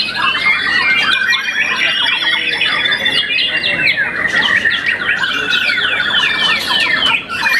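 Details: Young white-rumped shama, a contest-winning bird after one moult, sings continuous rapid phrases of falling whistled slurs, chatters and trills, with a brief dip near the end.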